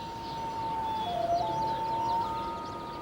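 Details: A Common Loon gives a territorial call on a northern Canadian breeding lake in spring, echoing into the surrounding forest: a long, mournful sustained note that dips briefly lower, then rises back and holds, with faint music underneath.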